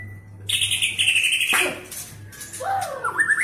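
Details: Caged Medan-type White-rumped shama, readied for the 2019 Presiden Cup, in fast song rich with cililin, canary and lovebird mimicry: loud buzzy notes sweeping downward, then a string of short rising whistles, over a steady low hum.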